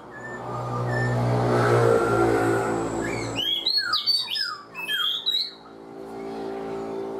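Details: Four-month caged black-throated laughingthrush: low engine-like rumble fills the first seconds, then a quick cascade of high whistled and chattering notes breaks through before fading.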